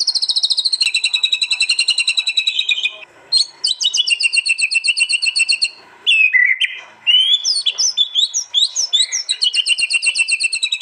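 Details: White-rumped shama from East Java, recorded on an Android phone for a training track: very high, buzzy rattling trills held for seconds, short breaks, then a flurry of sharp rapid zigzag notes.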